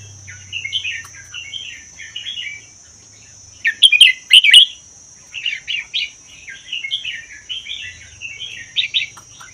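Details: Caged red-whiskered bulbul of wild Vietnam–Laos stock, kept one year and singing in the 'double' style, used to prompt other bulbuls to sing. Short, chattering whistled phrases repeat in clusters over a constant thin high-pitched tone.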